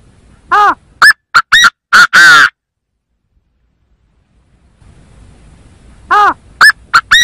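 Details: Chinese francolin call used as a trapping lure: a full phrase of six harsh, metallic notes ending in a long rasp, then a silent pause, then the phrase starts again with four notes.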